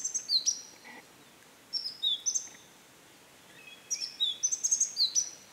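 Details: At dusk in Sattal, Uttarakhand, on 21 Feb 2022, a Himalayan black-lored tit (Machlolophus xanthogenys) calls for minutes, unbothered by observers, in three quick bursts of thin, high, sharp notes, some sliding downward, with soft hiss between.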